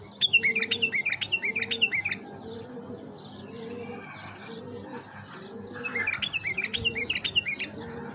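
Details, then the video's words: Tamed bulbul used as a caller to stir up wild bulbuls: two bursts of bubbly, quickly repeated whistled notes jumping up and down, one at the start and one near the end, over steady low dove cooing. "نداهات بلبول مطوع لتحريك الخامات القافلات"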